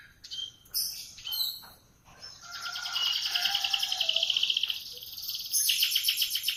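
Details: Canary in morning song: a few sharp chirps, then a long, rapid rolling trill with buzzy, pulsed texture continuing to the end.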